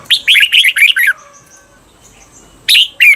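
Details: Cage-bird training recording from Thailand for the doubled 'berl' song style: a red-whiskered bulbul sings a long run of bright, bouncing notes, then after a pause two more sharp notes.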